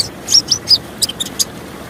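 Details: Female van Hasselt's sunbird calling, used to prompt silent males to sing, set against the sound of clear water. Sharp, thin, very high chips, about seven in two seconds, over a steady water hiss.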